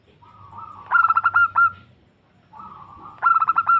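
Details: A female zebra dove calls to attract a male, recorded for luring: a low rolling purr swells into a burst of rapid, clear stuttered coos, repeated twice.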